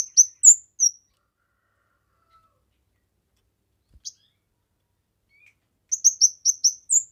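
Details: Kemade phrases used for training, luring and stimulating other birds: a few loud, high chirps at the start, a long silence, then a fast run of five or six sharp notes ending with a whistle.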